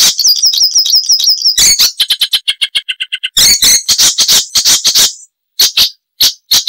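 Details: Chattering song of an Icterine warbler, known for loud variety and mimicry. A wavering high trill is followed by grating bursts, a run of short tinny notes and scratchy chirps with brief pauses.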